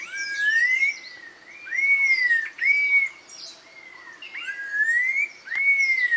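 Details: Red-tailed laughingthrush giving a series of loud, pure whistles, each rising then levelling off, repeated about every second, with higher chattering notes and thin twitters from other birds mixed in.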